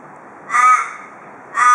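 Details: Two loud, raspy caws roughly a second apart from a wild Australian raven visiting a porch in Perth, Australia, where ravens give a distinctive "cock a doodle doo" call.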